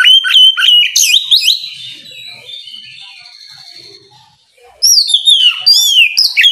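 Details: Oriental magpie-robin singing in the ngeplong style in the morning, provoking rivals to answer: loud, sweet whistled phrases with sharp upslurs and quick chirps for over a second, a near-silent gap, then another bright whistled burst.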